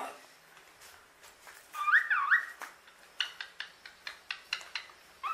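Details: A female common hill myna, kept as a pet, gives a loud wavering whistle about two seconds in, then a run of sharp clicking notes roughly every quarter second, ending in another short whistle.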